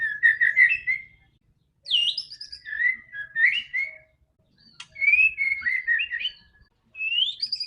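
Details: White-rumped shama singing, played to prompt a silent bird: varied phrases of mellow whistles and warbles, with a high upslurred note, a sharp click, and short gaps between phrases.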